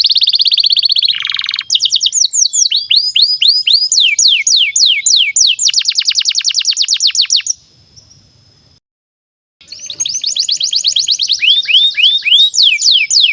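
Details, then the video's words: Long canary song meant as a training master for young birds: rapid looping whistled trills and sweeping rolls, a brief pause near eight seconds, then another fast rolling phrase. "SUARA BURUNG Kenari GACOR PANJANG INI Cocok untuk Masteran KENARI PAUD dan Kenari Macet BUNYI"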